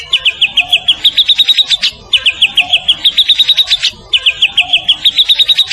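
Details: Champion white-rumped shama of the Medan kind in training master song: a quick rattling series of high chips rising slightly, repeated three times, each burst about two seconds long.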